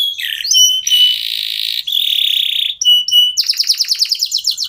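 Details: Song of a local canary kept to get other birds singing: long buzzy and whistled held notes with short breaks, ending in a quick run of rising chips.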